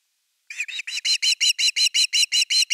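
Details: Osprey calling at its Finnish nest on 30 August 2021 during the evening fish: after a short silence, rapid bright chirps start and grow louder, a regular string of about a dozen notes.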